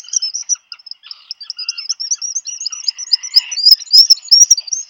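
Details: Brooding black guillemot and its mate arriving with food for a chick, Seal Island National Wildlife Refuge, Maine, USA, June 2020: thin high whistled notes in a rapid, rising twittering series, a few lower buzzy notes, and clicks.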